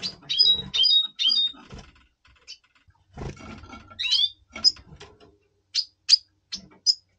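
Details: Double pastel red siskin singing in breeding mood, before the breeding season, November 2023. A clicking, rattling mechanical noise comes first, then sharp high chirps and twangy whistled notes follow, spaced irregularly.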